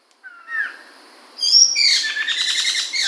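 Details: Chinese hwamei, Medan type, 2021: a clear whistled note, then a loud dense outpouring of rapid buzzy, rich warbling with high sweeping whistles.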